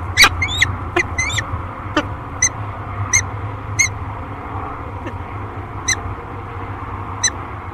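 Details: Pair of peregrine falcons at a nest on Great Spirit Bluff, filmed by a nest camera on 13 March 2022. Short, sharp, harmonic chips and clipped wails repeat irregularly, some in quick doubles, over a steady low hum and wind.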